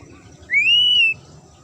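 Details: A magpie-robin gives one sharp whistled note, slightly rising then steady and clean, lasting about half a second, from a song meant to provoke other birds into replying.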